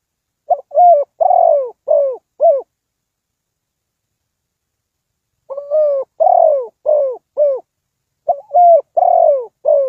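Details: Spotted dove used as a decoy to lure wild birds into a trap, giving three bursts of deep, hollow coos, each a quick series of four or five rounded notes with a longer drawn-out middle note, separated by pauses of about three seconds.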